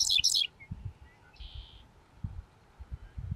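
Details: Adult male dickcissel singing from a farm field in Seneca County, New York, on May 25, 2024: two sharp, bright high notes open, followed by a short buzzy trill, over low rumbling background noise.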